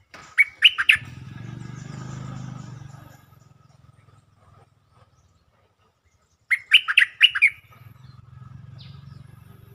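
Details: Stripe-throated bulbul kept in a cage for luring gives two bubbly, chattering five-note phrases about six seconds apart. A low rumbling hum fills the gaps between them.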